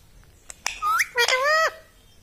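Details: Talking ring-necked parakeet kept as a pet: a couple of sharp clicks, then a rising whistled sweep and a longer voice-like phrase with a gliding pitch and rich harmonics, over quiet background.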